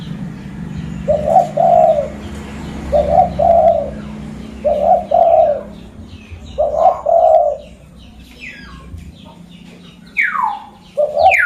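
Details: Zebra dove, a local lure bird from Mutiara district, Pidie, Aceh. Four trilled double-coo phrases are evenly spaced, about two seconds apart. Near the end, another bird's high falling whistles and a last coo follow.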